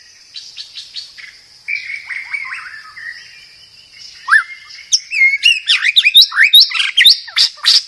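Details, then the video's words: White-rumped shama (murai batu) song from a masteran tutor recording meant to calm birds: soft twittering gives way to louder whistled slurs, then a rapid burst of sharp rising and falling notes, over a steady high whine. "Kicau Burung Murai Batu"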